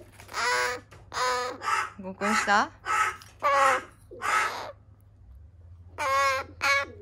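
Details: Loud rescued young crows, some disabled, calling on 14 July 2020: a rapid burst of raspy caws with a few broken, wavering notes, a short silence, then two more caws.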